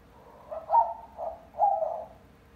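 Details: Young pet white-winged dove that coos all day and answers wild white-winged doves through open windows, giving three louder, husky coo notes, the second softer than the others.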